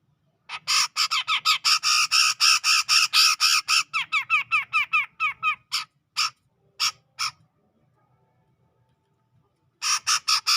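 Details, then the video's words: Grey-cheeked bulbul from the tropical forest of Sumatra, around Medan, singing in the lively ngepik style: long bursts of harsh, buzzy, downslurred notes repeated about twice a second, then a few spaced single notes, a pause and another rapid run. "Cucak Jenggot Gacor Ngepik"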